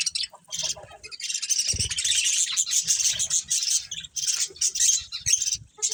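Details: Chirping budgerigars from a breeding colony, including a breeding pair: continuous shrill twittering and squeaky warbled notes in a steady overlapping stream, with occasional faint low thumps in the background.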